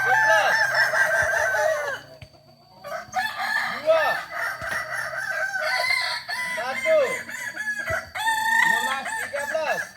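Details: At a practice gathering in Solok, Kokok balenggek roosters crow in long, layered, ladder-like phrases of arching notes. A brief lull comes near two seconds, then several birds resume, overlapping one another until the end.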